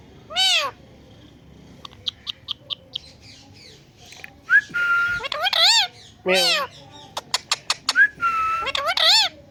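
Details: A pet Indian green ringneck parakeet talking while perched on a plant gives harsh, voice-like mimicked syllables mixed with bright clicks and a few level whistles, in short bursts over a quiet background.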